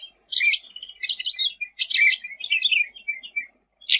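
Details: Sooty-headed bulbul singing actively, a recording meant for tutoring other songbirds: rapid, bright, chattering phrases that run almost without a break, high twittering notes tumbling downward, and a short gap before a final sharp note.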